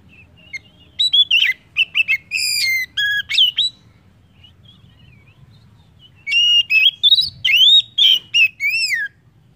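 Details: Oriental magpie-robin singing as a lure to stimulate other birds: two lively phrases of sharp chirps, steady whistles and sweeping slurs, with a quiet gap of about two seconds between them.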